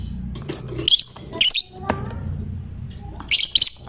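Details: Fighter lovebird singing abundantly to provoke other lovebirds into singing; brief high, grating chatter bursts, two early and a double burst near the end, with a soft low background.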